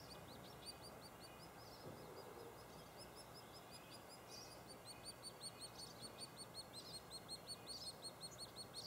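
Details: White-headed woodpecker nestlings calling from their cavity at Lassen Volcanic National Park during feeding visits. A fast series of thin, high chirps, almost three per second, rises in loudness toward the end over a steady low background hum.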